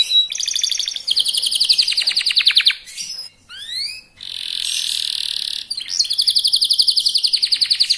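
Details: Young local canary singing a rapid lure song to provoke opponents: long pulsing trills broken by a short pause and a couple of rising whistles, then a dense buzzy roll and another fast trill.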